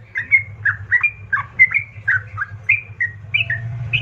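A yellow-vented bulbul sings a lively run of bubbly, liquid chirps, about three notes a second, over a low steady hum.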